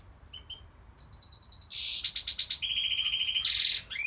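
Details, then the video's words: A goldfinch sings a rapid jumble of tinkling trills, harsh buzzes and sliding notes, all high-pitched and delivered in one continuous stretch. "Goldfinch singing"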